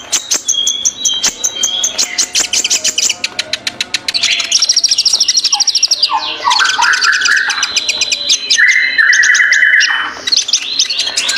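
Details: Ninja sunbird in loud, busy song: rapid high ticking notes, followed by sweeping slurred phrases and short buzzy trills at varying pitches, delivered almost without pause.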